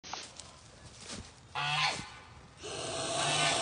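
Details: A broody female domestic goose protecting her goslings gives two harsh, breathy hisses, the first brief and the second longer and rasping, with a faint throaty undertone.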